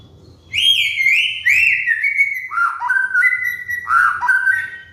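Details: White-rumped shama singing a lure phrase used to train molting caged birds: loud, rolling whistled notes swooping up and down, shifting to lower, steadier whistles in a continuous warbling stream.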